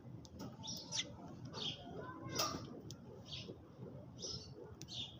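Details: Sparrows eating in the early morning chirp in scattered bursts, bright short notes with a few sharp clicks between them, over a muffled low rumble.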